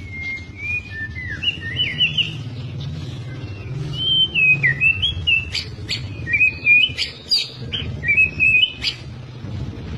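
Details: Albino or blorok white-rumped shama, a captive bird in Indonesia, delivering a continuous high, twisting whistled warble broken by sharp clicks, with a steady low hum beneath.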